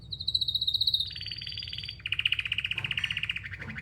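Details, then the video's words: Singing canary with long fast trills: a high pulsed roll, a slightly lower tour, then a rapid rattling series at mid pitch, all over a constant low background hum. "Canary Singing"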